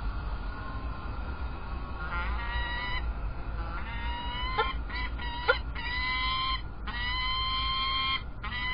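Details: Drawn-out, whining calls with rich harmonics from peregrine falcons at Illkirch-Graffenstaden on 3 February 2018. Each call lasts up to a second, and a few sharp clicks fall between them, all over a low rumble.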